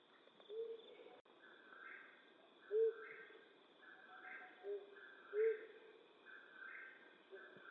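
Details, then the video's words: Nighttime flammulated owl from western North America, hooting with single short low notes at uneven gaps of one to three seconds. A steady high drone and repeated mid-pitched pulses carry on behind, with one sharp click. "Flammulated Owl Hooting"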